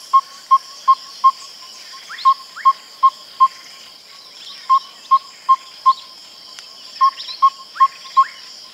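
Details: Yellow-rumped Tinkerbird call delivered in short bursts with a rhythm like an African Hoopoe: four even groups of four clear, low, piping notes, each burst separated by a short pause. Soft high insect-like hiss and distant chirps behind.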